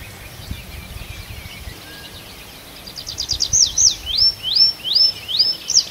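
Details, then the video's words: Birds singing at night in a forest in Arkhangelsk Oblast in June: after quiet background hiss, a loud series of high, sharply swept notes begins, each a fast rising-then-falling slur, repeated about twice a second. "Пение птиц в ночном лесу"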